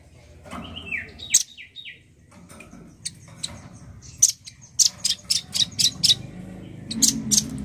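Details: Male nuthatch in lively song, a fast series of sharp high notes in the second half, preceded by a few descending slurred notes and scattered clicks, with low background noise.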